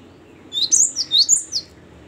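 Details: Short burst from a great tit (gelatik batu) singing ngeplong: five or six piercing high whistles, each sliding downward, packed into just over a second.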